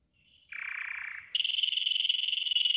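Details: Yellow golden canary singing a training song: a soft, lower buzzy roll breaks into a loud, bright, fast-pulsed high trill that is held steadily to the end.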